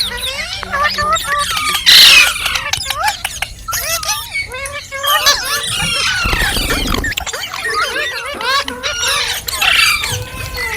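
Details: Rose-ringed parakeet chattering nonstop: squeaky, speech-like warbles and quick up-and-down whistled notes, with a loud shrill burst early on and a low rumbling noise partway through.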